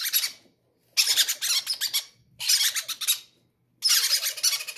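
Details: Healthy, greedy baby parrots begging to be fed indoors; harsh, raspy, pulsing cries in bursts under a second long, roughly every second, with a faint low hum between them.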